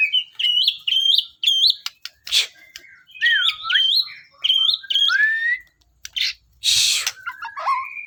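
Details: Actively singing white-rumped shama, reportedly searching for a mate or companion, gives short high whistled phrases repeated in a steady sequence, with swooping notes, a few hissing bursts and click-like sounds.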